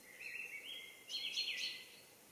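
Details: A great tit at a feeder calls: a thin, steady high note, then a quick burst of brighter, buzzy chattering notes lasting about a second, over faint background hiss.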